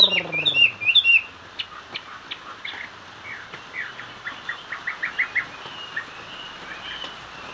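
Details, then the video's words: Chinese hwamei singing in the style called hót xòe: loud whistled, upturned notes at the start, then a run of quieter short whistles repeated about twice a second. "Họa mi hót xòe"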